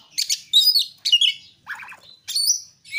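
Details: Oriental magpie-robin in full, lively song, used as a lure to get other magpie-robins singing: rich whistled phrases, high trills and buzzy notes, with short gaps between bursts and no other sounds.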